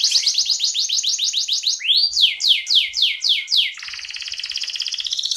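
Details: Indonesian canary from Pemalang, Central Java, singing a quick series of even repeated notes, then slower loud downward-sweeping whistles, ending in a rapid buzzy rolling trill.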